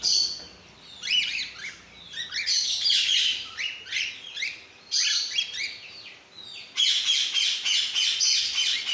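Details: Cockatiels of several colour mutations kept together, giving bursts of overlapping shrill, rising chirps and whistles, dense chattering with short pauses between bursts.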